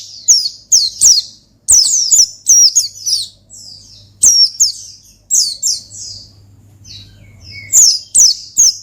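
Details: Long, busy ngalas style song of an Oriental white-eye, meant to call and provoke a rival: repeated high descending chirps in rapid clusters, softer warbled phrases between, and a continuous faint low hum.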